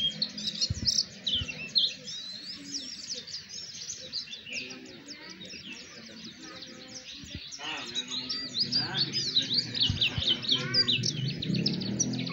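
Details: White-eyes in lure audio meant to get other white-eyes singing: a dense, high twittering chorus of quick, thin chirps and trills, rising and falling in rapid bursts over a low background hum.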